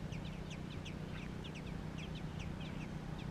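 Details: Baby American robins, nestlings in Georgia, give quick high chirps that rise and fall in clusters, repeated several times a second, over a steady low hum.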